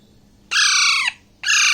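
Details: Harsh, strident squawks from a baby Alexandrine parakeet about six weeks old as it eats grapes in Bangladesh; a half-second call bending downward at the end, quickly followed by the start of another.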